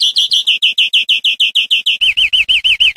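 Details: Captive-training recording of European greenfinch song: a regular string of rolling notes about three per second changes into quicker wavering, twisted notes, with a faint low hum in the second half.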